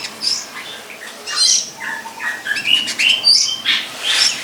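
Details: Long-tailed shrike in the wild delivering a varied, jumbled song of squeaky high notes, short rising and falling whistles and harsher chirps, loudening toward the end, with no other clear sounds.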